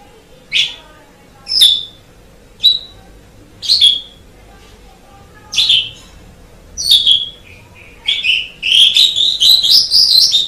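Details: Asian pied starling calling: sharp, bright chirping notes spaced about a second apart, then a quicker run of rising, chattering whistles toward the end, over a faint steady hum.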